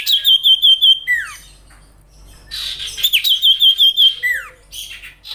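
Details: Lively sirtu song for training songbirds: bursts of very fast high pulsed trills, each ending in a steep downward-sliding whistle, repeated twice with a short pause between.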